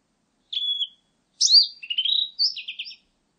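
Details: Blue-and-white Flycatcher singing: a thin, level whistled note, then a sharp downslurred whistle and a rising buzzy trill, three clean phrases within about three seconds against a silent background.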